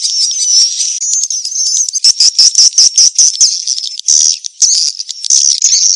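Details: Swiftlets on a mating-chase lure track give shrill, thin whistled twitters, then bursts of rapid rattling chirps, then a dense buzzy chorus of overlapping calls.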